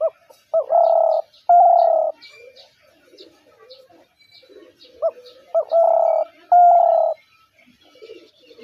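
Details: Spotted dove calling loudly and clearly, two phrases each of a quick rising note and two sustained, mellow coos, with quiet high chirping in the gaps.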